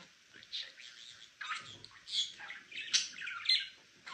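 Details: Chirping from a pet male budgerigar, a quick run of rough, warbling high notes and squeaky chatter with brief gaps, growing busier and louder toward the end.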